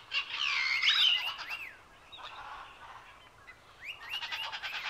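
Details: A macaw at San Diego Safari Park gives a harsh, raucous squawk lasting about a second, followed by quieter scratchy calls and a burst of rapid chirps near the end.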